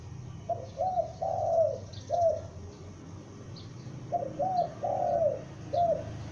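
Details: Young spotted dove, a lure bird, calling loudly with repeated phrases of short coos and one long wavering coo, two phrases in quick succession; faint high chirps of small birds audible.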